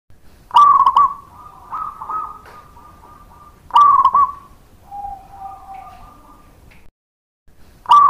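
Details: Local zebra dove (perkutut lokal) singing a lure song meant to make other doves answer: loud rolling, trilled coos repeated roughly every three seconds, each trailing into a long level hum, with softer coos between.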